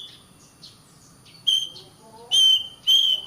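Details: Oriental magpie-robin master song for training caged birds: soft scattered notes, then loud sustained high whistles in three separated bursts, with a faint rising lower tone between them.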